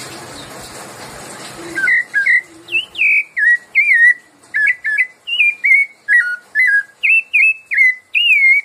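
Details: Sabiá-laranjeira (Rufous-bellied thrush) song of the 'piedade senhor' style: after a faint, noisy start, a steady run of about a dozen short fluty whistles, each dipping or turning, evenly spaced about half a second apart.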